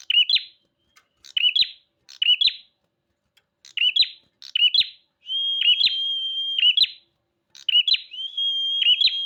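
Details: Bar-winged prinia singing vigorously: short bright chirped phrases repeated about once a second, then long steady whistled notes with chirps laid over them, in a quiet background.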